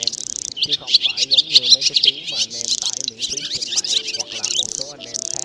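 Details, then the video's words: A flock of black, white-bellied swallows calling one another home to sleep, played as a lure for net trapping: high, busy chirping and twitters in surges, with fainter low wavy whistles and a steady buzz at the end. "Tiếng ÉN Đen Bụng Trắng Gọi Bầy Về Ngủ"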